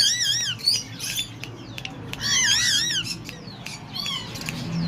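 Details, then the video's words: Tame pair of slaty-headed parakeets at Lalukhet birds market, Karachi, described as talkative: wavering, harmonic-rich squawking whistles in bursts, some rising and falling in quick waves, with a low steady hum beneath. "talkative tamed slaty headed pair"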